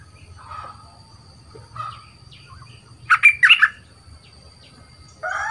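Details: Young captive bulbul, trained as a new decoy bird and noted for its big voice, gives one brief burst of four loud chirpy notes amid quieter soft calls and low background hum.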